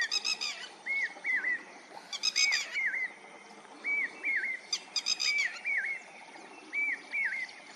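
Lapwings give paired, arched whistled calls, each slurring up then down, in quick doubles every second or so, mixed with sharper high chatter.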